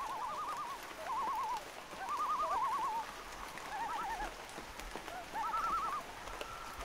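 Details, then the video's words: Loons calling during light rain: several quavering, wavering tremolo calls overlap at mid pitch, coming in bursts about once a second from more than one bird, over a soft steady hiss of rain. "1 Hour Light Rain & LOON Sounds - Loon Calls For Relaxing"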